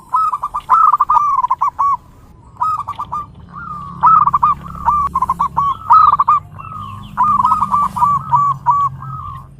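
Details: Song of a zebra dove: a run of rapid, trilling coo phrases repeated every second or two, each a string of short bouncing notes, over a low background hum.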